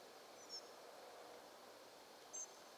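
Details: A group of Spotted Flycatchers on nocturnal migration, mid-May 2023 at 3:50 am, gives two very thin, high, short 'si' calls about two seconds apart over steady background hiss.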